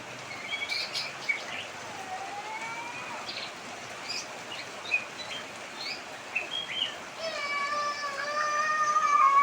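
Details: Bird with an unusual voice heard amid pouring rain: thin rising whistles and scattered chirps, ending in a loud harmonic, slightly wavering drawn-out call over the last two seconds, with steady rain noise throughout.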